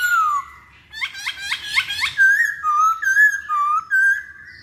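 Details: Masked laughingthrush lure song to draw birds into singing: clear descending whistles, a burst of quick rising notes, then a steady run of wavering whistled phrases.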